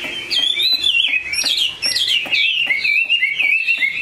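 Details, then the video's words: Chinese hwamei, a tame, big-bodied bird with an excellent voice, pours out clear looping whistles that rise and fall in quick succession, linked by short chirpy notes. "Mi họa thuần, bộ to, chất giọng cực hay"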